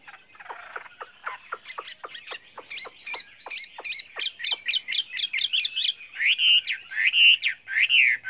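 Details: Chinese hwamei singing a varied song used to train other hwameis: a string of dry clicks speeds into rapid chirping notes, ending in three loud, slurred, arching whistles.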